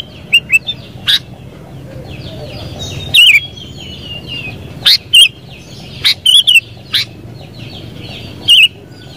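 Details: Kutilang, the sooty-headed bulbul, calling in scattered bright bubbling whistles spaced a second or two apart over a steady murmur of distant birds.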